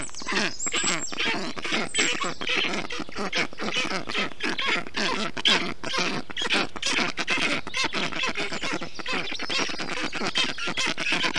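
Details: Nestling black storks calling in an Estonian nest during summer heat, 20 June 2021, as the adult male cools them with water and wet grass; dense, rapid chatter of rasping, hoarse calls with little pause, several voices overlapping.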